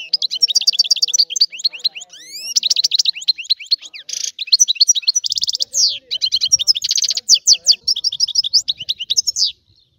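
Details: Sicilian European goldfinch delivering a rare old-style song: ten seconds of continuous rapid twittering with buzzy trills, sweeping upward notes and tinkling chirps, with faint low knocks underneath.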